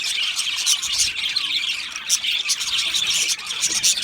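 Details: Crowd of budgerigars in an aviary, high chirps and squawks tumbling over one another continuously, with a few clear whistled peaks standing out.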